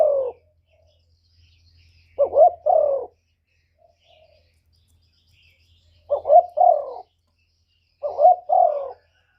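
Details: Spotted dove used as a decoy, cooing to lure wild males: four low double coos separated by long silent gaps, each a quick hoot then a longer falling note, with a faint low hum.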